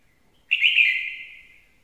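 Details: Red-whiskered bulbul producing one clear, bright warbled phrase, starting abruptly loud and trailing off into a softer sustained note over roughly a second.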